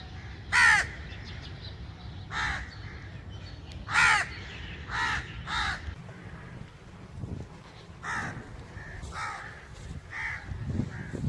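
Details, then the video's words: A crow gives harsh, hoarse caws, single or in quick pairs, spaced unevenly over about ten seconds, with a low rumble of background noise. "Crow's Crowing Sound"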